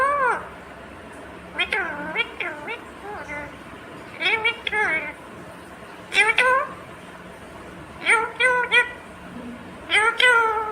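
An Indian ringneck parakeet talks in short bursts of high, nasal, speech-like phrases with wavering pitch, about one phrase every two seconds, with quiet pauses between.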